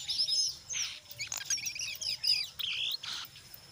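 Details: Brown jongkangan in busy ngeriwik song with ngeplong notes, played to coax other jongkangan to sing: bursts of rapid high chattering and whistled slurs separated by brief gaps, with a rough rising note near the end.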